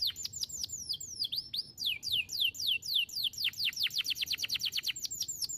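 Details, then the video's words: Canary song used as a training master for other canaries: high, clear descending whistled notes repeated in rapid rolling series, with sweeping slurs at the start and fast regular trills later. "kenari Model apapun bakal cepat respon dengar cuitan kenari ini"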